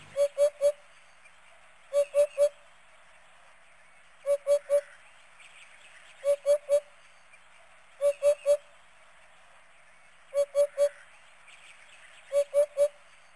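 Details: Male Eurasian hoopoe in Morbihan, Brittany, in the breeding season gives its soft, low, hollow, monotone "oop-oop-oop" song, a call that carries far. The triplets repeat about every two seconds over a faint background hiss.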